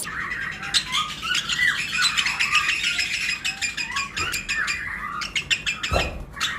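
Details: Lovebird pairs of several colour mutations in a flight colony during breeding season, chirping together: dense overlapping high chirps and rising squeaks, a steady chattering chorus with short squawks and a brief low thump near the end.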